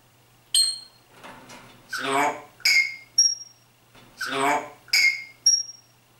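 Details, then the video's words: Talking Grey parrot imitating speech and singing: a click, a drawn-out voice-like syllable, then sharp whistled notes, with the whole phrase repeated twice in a quiet setting. "GrauPapagei Rudi spricht und singt"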